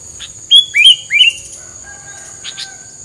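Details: Three crisp descending whistles in quick succession from a bird whose song is used as filler to keep rivals from approaching, followed by soft scratchy ticks and a quiet tone.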